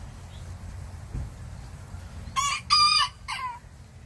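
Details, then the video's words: Small bantam rooster crowing back at a larger rooster next door: a short, shrill, strained crow of three quick bursts near the end, after a few seconds of low steady rumble and background hum. "Tiny Bantam roosters answer big rooster nextdoor"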